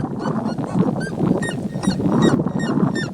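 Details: Three red-legged seriemas sunbathing and singing free in nature: short yelping notes with bright overtones repeat quickly, several birds overlapping, over a steady low rumbling background.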